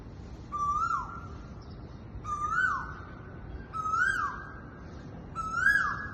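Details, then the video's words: Noisy koel on Mount Sophia Road gives four loud whistled calls, each a clear note that rises then drops sharply, repeated about every one and a half seconds over faint background rumble. "Noisy Koel Bird"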